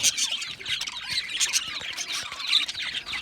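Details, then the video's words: Budgerigars in an aviary chattering together: a dense, continuous wash of high scratchy chirps and squawks with short bright whistled notes over it. "Budgie parrot chirping sounds"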